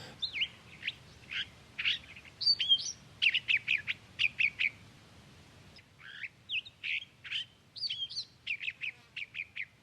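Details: California Thrasher singing in stands of chaparral: a varied run of short, sharp chirped and whistled high phrases, delivered in two bursts separated by a brief pause near the middle, with a quiet, otherwise still background.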